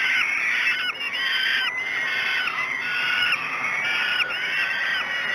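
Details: Falcon chicks at Great Spirit Bluff scream for food at a breakfast feeding, 06:54 on 5 June 2016, giving steady, grating wails whose pitch arches up and falls in repeated waves, with almost no silence between them.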